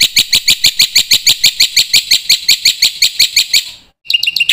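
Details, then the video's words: Constantly singing black-winged myna, a master song for young birds: a steady, rapid chatter of bright, harsh notes about four per second, ending in a short silence and a few whistles. "suara pancingan burung jalak putih gacor full isian masternya bikin jalak muda cepat bongkar isian"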